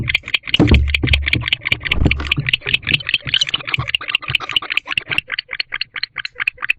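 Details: Affectionate barn owl pair in a nest box at 3:28 am; dense rattling chatter of rapid scratchy pulses, louder and busier at first with low rumbling thuds, then thinning into separate ticks.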